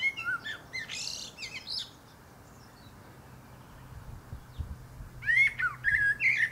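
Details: Common blackbird (Turdus merula) singing atop a pear tree: a mellow fluted phrase with twittering high notes, a pause of about three seconds, then another warbled phrase ending in squeaky twitters; faint low hum beneath.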